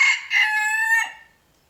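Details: Rooster in the morning, closing part of a crow: a loud harsh note, a short dip, then a long held ringing tone that slides slightly and fades away within about a second.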